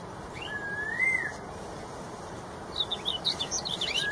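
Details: Red-tailed straw-headed bulbul in the wild giving a single smooth, slurred fluty whistle, followed by busy high-pitched twittering from other small birds over a steady background hiss.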